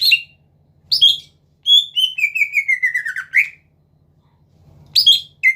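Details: Caged greater green leafbird giving short whistled phrases and a long descending trill of rapid notes, with pauses between, intended to provoke rivals into singing; faint low hum.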